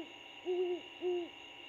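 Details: Two great horned owls chatting in a repaired former bald eagle nest 75 ft up a pine tree, Georgia; two clear low hoots about half a second apart, each level and slightly wavering, over faint electrical hum.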